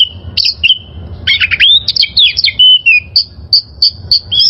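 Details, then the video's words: Energetic song of a wild oriental magpie-robin used as training material for caged birds: level whistles, buzzy scratchy bursts, sliding phrases, then a run of bright repeated whistled notes about four per second. "Masteran Suara Burung Kacer Liyar...!!!"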